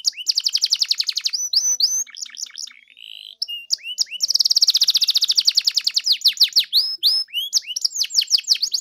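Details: Canary in full song, used to coax another canary into singing: long rapid trills of repeated high notes, a lower buzzy phrase midway, then a sustained fast rattle and varied upswept chirps.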